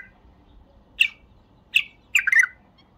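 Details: Bulbul song heard as two sharp separate notes followed by a short rippling burst of chirps; the background is quiet.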